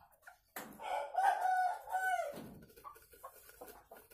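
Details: A single Sumatran red junglefowl, kept in a cage, gives a hoarse, clipped cock-a-doodle crow lasting about two seconds that ends abruptly, followed by faint clicks and a quiet human voice.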